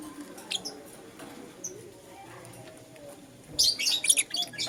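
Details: Morning chirping from a lutino lovebird. A few faint high notes come first, then a dense burst of loud, harsh, rapid chirps near the end.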